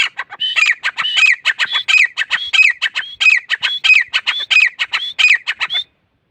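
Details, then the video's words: Grey francolin calling loudly and continuously: rapid bursts of harsh, clipped notes mixed with rising whistled phrases, the pattern looping about every half second for nearly six seconds before stopping abruptly. "Gray Francolin calls"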